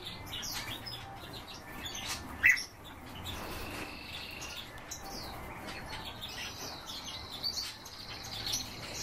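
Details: Azure tits nesting in a cage: one sharp, high call, then scattered thin high chirps over a steady background hiss.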